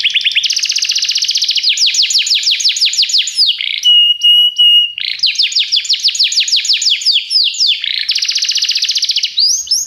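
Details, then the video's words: Song of a canary used for training: rolling high trills and descending slurs, interrupted by a clear flat whistled note with faint overtones, then resuming with quick rattling tours. "treinamento canário - seu canário cantará muito se ouvir isso"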